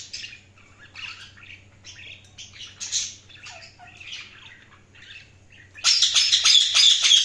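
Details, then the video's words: Budgerigars chirp in short varied warbled notes, some rising and falling, then break into a loud, fast, buzzy burst of rapid high chirps lasting over a second. "Budgies Sounds| Budgies Chirping sound"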